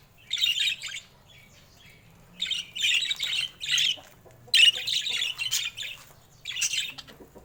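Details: Colorful pet budgerigars, including rare mutations and baby budgies, give scratchy, chattering bursts of high warbling notes, in short clusters about a second apart with brief pauses between.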